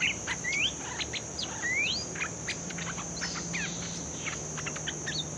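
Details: Bulbul, newly caught and being trained, sings clear upslurred whistles and short chirps in quick succession, mixed with scattered ticks, against a constant high-pitched insect whine and a low hum.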